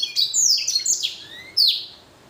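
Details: Blacken, a blackthroat crossed with a canary, singing energetically: sharp high swooping notes in quick succession, then a pause and one loud downward-slurred whistle that fades away.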